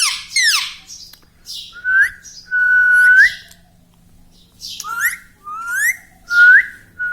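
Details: Talking pet parrot kept indoors, said to say mummy and papa; clear rising whistled notes alternate with buzzy, harmonic, falling syllables in bursts about every second, with quiet gaps between.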